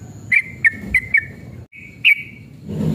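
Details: Sooty-headed bulbul male singing in an aggressive mood, used as a lure to get other bulbuls singing. A handful of brief, bright whistled notes, then one longer slurred note, with a rising hiss at the end.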